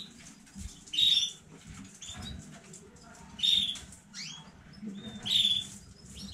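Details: Canary of a new breeding batch, recorded 15 May 2019, uttering clear high chirped notes about every two seconds, with quieter twittering between and a faint room hum.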